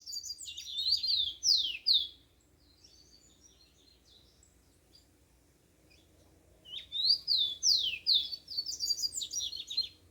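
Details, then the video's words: Yellow-bellied seedeater singing in the wild at dawn: two bursts of high, fast, warbled song with sliding and dropping notes, separated by a few seconds of quiet, over faint low background hum. "Canto do papacapim na natureza"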